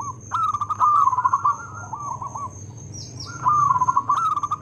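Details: Local zebra dove in full, loud song with good rhythm: two bursts of fast, stuttering, rolling coo phrases separated by a softer quiet passage. A constant high-pitched tone and low electrical hum run beneath.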